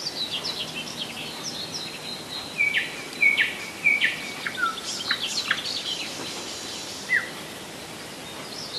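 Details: Singing nightingale near Moscow (Rassudovo, July 2011): a varied phrase of clear whistles, short sweeps and high flourishes, then a pause before one lone down-slurred note, with constant background hiss.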